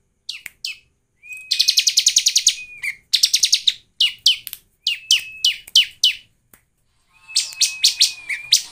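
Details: Lure song of the bar-winged prinia for prompting birds to sing, made of long rapid trills of rasping chips over a faint flat whistle, broken into several bursts with short silences between them.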